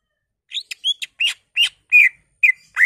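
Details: Greater green leafbird singing its repertoire to stimulate other leafbirds: a sequence of short chirps and clicks mixed with clearer whistled notes, about nine elements in under three seconds, in clean silence.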